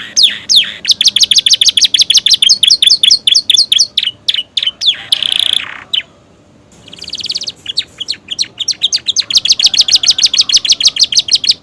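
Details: Canary of the Romeo type, newly moulted, with imitated prenjak and ciblek phrases in its song: rapid high chipping series, a buzzy rasping note, a short silence, a fine high trill, then dense fast notes again.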